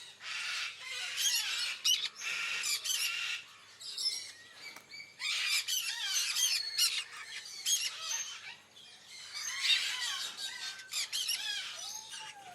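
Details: Sun conures at a wildlife park, squabbling over food, give loud, harsh, grating squawks in bursts, one after another.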